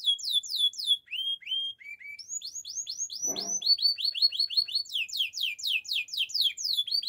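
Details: A Gloster canary sings, offered for training canaries: repeated clear falling whistles, a few lower slurred notes, a brief soft rustle, then steady runs of sweeping notes about four per second.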